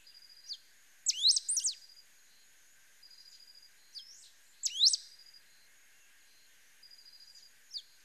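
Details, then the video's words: Pale-throated pampa-finch delivering repeated high phrases of steep whistled slurs, loud bursts near one and five seconds separated by softer flat buzzy notes and short chips. "CANTO DO RABO MOLE DA SERRA"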